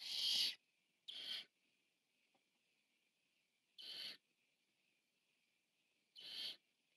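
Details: A Barn Owl owlet, the biggest in its nest, feeding on camera on 14 September 2015, utters four breathy, harsh screeches, two close together and then two more spaced about two and a half seconds apart, in a quiet setting.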